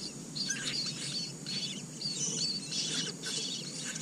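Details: Asian koel nestlings, four of them, reared in a red-billed blue magpie nest, produce dense bursts of thin, high chattering squeaks in quick clusters against a constant hiss.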